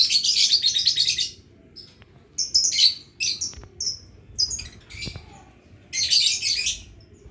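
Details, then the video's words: Lovebird learning to ngekek, the long trill: buzzy, rattling bursts up to a second long alternate with shorter sharp chirps, loud and high, with brief pauses and faint clicks in between. "burung lovebird belajar ngekek"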